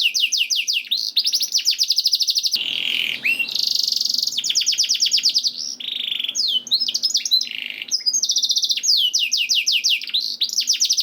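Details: Canary song meant to get canaries singing: rapid trills and falling whistles, a harsher buzzy section with faint background hiss, then more fast rattling tours and swooping notes.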